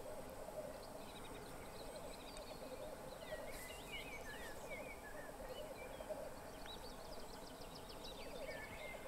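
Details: Black grouse at a courtship lek on 2 May 2021 keep up a continuous low, bubbling, dove-like rookooing chorus, while other small birds chirp and trill higher above it.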